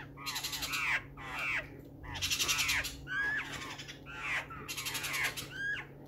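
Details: Black-faced laughingthrush calling on 12 June 2020: loud, raspy, downward-slurred notes in bursts of two or three, about one burst every second, over a constant low hum.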